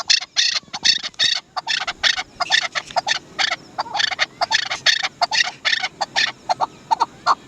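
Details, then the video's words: Harsh, rasping chak notes from a Chukar partridge (dasi chakor) in quick irregular bursts, some doubled or tripled, with brief gaps between groups. "Amazing sound of Dasi chakor"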